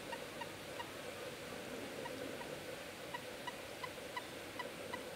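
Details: A common moorhen on a spring pond gives short, clucking notes, repeated about three times a second in loose runs, over a steady background hiss.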